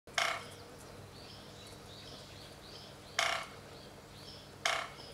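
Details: Japanese pygmy woodpecker tapping on a hollow bamboo trunk gives three sharp, ringing, echoing knocks at irregular intervals that resound loudly through the forest, with soft chirps of other birds in the background.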